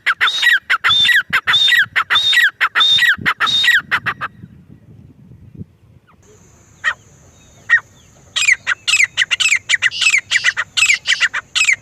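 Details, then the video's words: Grey francolin gives loud rhythmic whistled phrases, pauses amid a faint hum and a steady high tone, then resumes with rapid shrill repeated calls. "Gary francolin birds | dakni teetar ki awaz | teetar voice | teetar sounds bhory teetar ki awaz"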